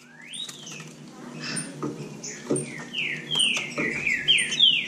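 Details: Trinca-ferro from Bahia singing in competition: loud slurred whistles rising and falling, several notes sweeping across the upper range, growing louder toward the end, with faint low background hum.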